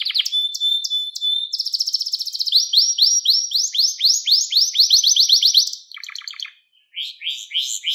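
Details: Canary song from a long training recording for young canaries: buzzy high tour, long run of rapid rising sweeps, a short rattle, a silent gap, then more chirped sweeps.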